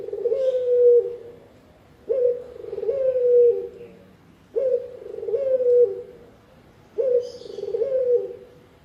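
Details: Spotted dove cooing, a recording used for luring wild birds and for master-song training. Four similar low, mellow phrases, each with a sharp onset and a drawn-out, slightly falling coo, come about every two and a half seconds. Brief faint chirps sound in the background.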